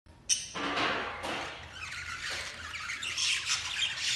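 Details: Exhibition budgerigars, including a lacewing female, chatter in a steady stream of harsh, scratchy squawks and buzzy warbles.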